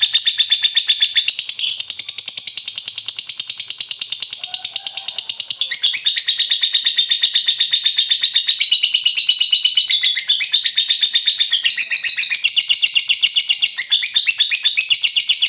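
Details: Lovebird singing continuous ngekek: a sustained stream of shrill, rapid, rattling chirps, several per second, keeping up for the whole stretch with slight shifts in tone and loudness.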